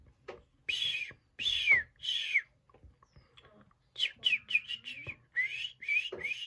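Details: Young hwamei during hand-feeding, uttering loud downslurred whistled calls in short bursts: three spaced notes, a pause, then a quicker run of six or seven, with light handling noise.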